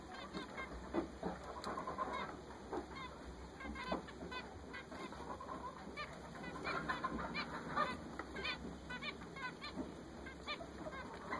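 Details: A group of newly bought zebra finches chattering steadily for several seconds: many short nasal honks and beeps overlapping, soft but continuous, with occasional louder notes.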